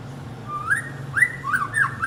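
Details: White-rumped shama calling its partner: a few short whistled notes rising and falling around mid pitch, with soft low background hum.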